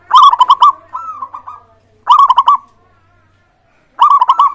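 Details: Zebra dove of a local type, with song meant to prompt other birds to sing; loud phrases of rapid, bubbling coos, about two seconds apart, one followed by a softer trailing series, in clean, quiet surroundings.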